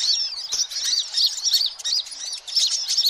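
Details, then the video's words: Sunbird calls used as a lure for all kinds of sunbirds: busy, overlapping high thin chirps and twittering notes, rapid and continuous, with brief pauses and no other clear sounds. "suara kolibri ribut buat pikatan semua jenis kolibri ampuh"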